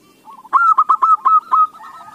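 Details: Zebra dove song used as a lure to get other doves singing: a loud run of six clipped, cooing notes that rise and fall quickly, evenly spaced over about one second, with a soft hum in the background.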